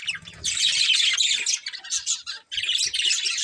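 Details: Pet budgerigars of a family group chattering: harsh squawky chirps and rapid warbled notes in loud bursts, with a brief pause before the chatter resumes.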